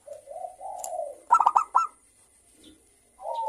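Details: Lively local zebra dove calls used to coax other birds to sing: a gentle rising-falling coo, then four sharp rapid notes, a quiet pause, and the start of another coo.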